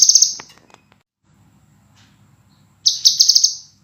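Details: Master recording of scarlet minivet song: the tail of one high trill fading out, quiet low murmur, then a fresh piercing phrase of rapid pulsed notes near the end.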